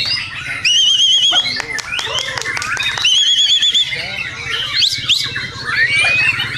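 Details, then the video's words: Song of a white-rumped shama as contest training material: two loud quavering whistled trills about two seconds apart, separated by sharp clicks and chips, ending with a rising squeaky phrase. "masteran LOMBA MURAI"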